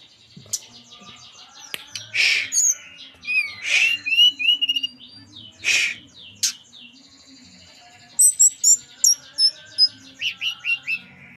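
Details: Local Merapi tledekan gunung singing for a lure recording: scattered sharp high chips and squeaky whistles, then a run of rapid, evenly spaced bright notes with short sliding phrases near the end.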